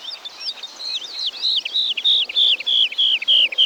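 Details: Woodlark from Wielkopolska National Park, Poland, among forest birds: a clear run of short whistled notes, each sliding downward, repeated steadily about three per second and growing louder and more even toward the end.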